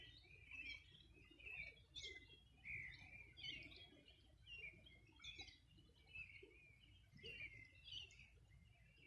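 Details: Summer-morning bird chorus from the Río Bueno shore, Los Ríos region, 2020: clusters of sharp chirps and twittered notes arrive every second or so, several birds overlapping, against a soft background of flowing river.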